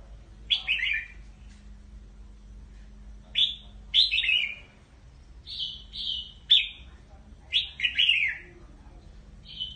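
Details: Red-whiskered bulbul calling the flock: bright, slurred phrases swooping from high to mid pitch, delivered in short bursts of two or three notes with pauses between, plus a few clipped single whistles; faint low hum beneath.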